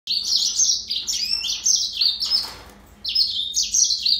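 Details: Yellow-fronted canary singing a fast, high twittering song of warbled and trilled phrases that rise and fall, with a brief pause near the middle before the song resumes.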